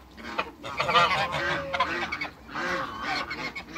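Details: Two African geese in a backyard with other waterbirds, calling close and loud with rough, braying honks in two main bursts, the second starting after a short pause, against a fairly quiet background.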